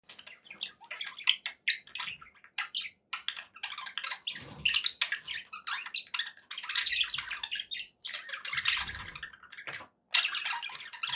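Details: Pet budgerigars, kept as company for other pet budgies, chattering in a long run of dense, scratchy warbles and chirps broken by short pauses, with faint low thumps.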